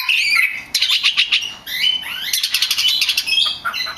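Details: Oriental magpie-robin song used as a lure to provoke other magpie-robins into singing: loud, varied high whistles and rapid chattering phrases, with sliding notes and buzzy bursts, continuous throughout.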